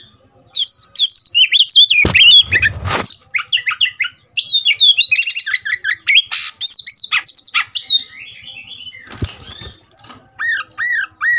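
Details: Oriental magpie-robin provoked into fighting mood, pouring out a loud varied song of rapid whistles, slurred rising and falling notes, harsh scratchy bursts and repeated chirps, ending with a run of looping whistled phrases.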